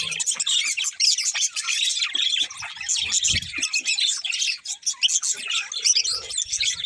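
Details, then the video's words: A pair of pet budgerigars chirping: dense, continuous high twittering and warbling chatter with rapid squeaky notes throughout, plus a few faint low knocks. "Cute Budgies Chirping Sounds"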